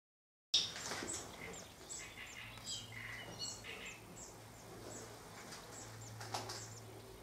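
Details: Great crested grebe in Empordà, Girona, Catalonia, Spain, giving harsh, nasal, repeated calls in quick uneven bursts, with faint higher chirps from other birds and a steady low hum behind.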